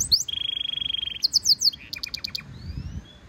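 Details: European goldfinch mule (hybrid) singing in a song-training stimulation recording: a high chirp, then a long rapid buzzy trill held about a second, followed by bright sweeping notes and a run of sharp repeated clicks; faint low rumble beneath.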